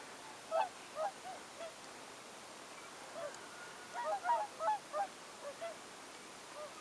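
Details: Tundra swans calling from a mixed winter flock of about 80 birds with some 40 whooper swans in Oltenia, Romania, November 2014. Bugling honks come in clustered bursts, several overlapping, against a steady hiss of background noise.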